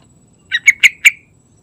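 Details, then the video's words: Brief bright phrase from a yellow-vented bulbul singing actively in the morning, four evenly spaced bubbling notes with a thin whistled tail after the last one. "Trucukan Gacor Santai Pagi Hari"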